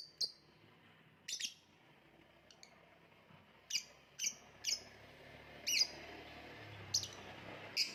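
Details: Lovebird calling with sparse, sharp, high-pitched chirps, single or paired, spaced about one second apart over a quiet background with faint low hum.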